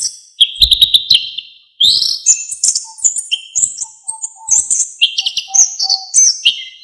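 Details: Orange-headed thrush singing a varied song, used as a tutor recording for songbirds: a rapid stuttered phrase, a short silence, then a run of loud high whistles and trills.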